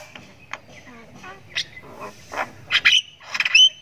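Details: Javan myna chick practising its voice with 'ngriwik' chirping: soft scattered clicks and faint chirps build into louder harsh, buzzy rasps and a thin whistled tail.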